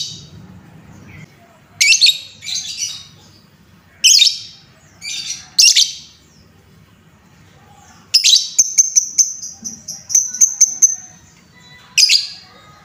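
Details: Lovebird chatter played to rouse other lovebirds: scattered shrill, scratchy chirps, then a rapid run of sharp high notes ending in a steady thin whistle, in a quiet setting.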